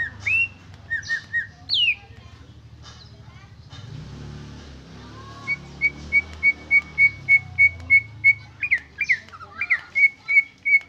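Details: Greater green leafbird singing, original recording without added fill: varied whistled notes near the start, then a long run of short clear whistles repeated about three per second, ending in slurred rising and falling notes; low background hum throughout.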